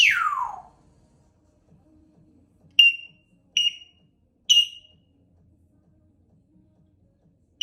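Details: Pet African grey parrot, female, practising sounds: one long high whistle sliding downward, then four short sharp high beeping whistles at irregular intervals over near silence.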